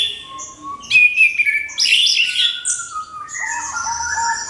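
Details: Orange-headed thrush singing a crystal-clear lure song meant to provoke other birds to sing: a fast, varied run of sharp chirps, sliding whistles and high buzzy notes, about four notes a second, with no other sounds.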